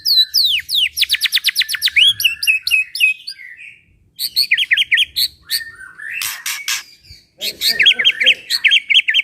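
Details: Gacor white-rumped shama, a caged bird used to prompt other shamas to sing along, delivers a loud varied song: rapid rattling trills of repeated notes, short whistled phrases and harsh clicks, broken by brief pauses.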